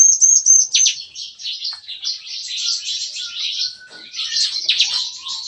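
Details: Morning song of caged bar-winged prinias (ciblek kristal) in a breeding aviary, in the shooting-like 'nembak-nembak' style: dense, overlapping, high scratchy chatter with one thin whistle at the start and a few soft lower tones.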